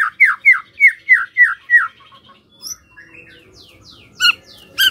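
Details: White-rumped shama song used to draw answers from other shamas: six loud downslurred whistles in even rhythm, then softer scattered high notes and sharp clicks.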